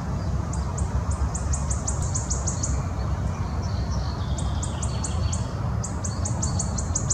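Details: [['Wood warbler singing: several series of high, thin ticking notes that speed up, repeated three times, over a steady low rumble of background noise.']]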